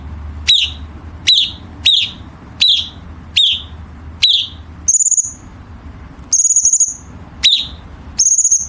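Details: Chinese bulbul training song with sharp harsh-note fill for competition birds: sharp downslurred chirps repeated about every 0.6 seconds, then high sustained whistles alternating with single chirps.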